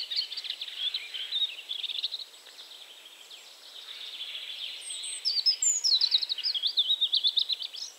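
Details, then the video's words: European robin singing in Poland, a fast run of thin, high warbled and trilled phrases, some notes sliding very high, against steady background noise; the song fades mid-clip and returns with rapid repeated notes. "Robin / Rudzik"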